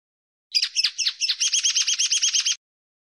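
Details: Common linnet singing: a quick twittering phrase of varied chirps, then a fast, even series of about a dozen identical arched notes, roughly two seconds in all, with no other sounds.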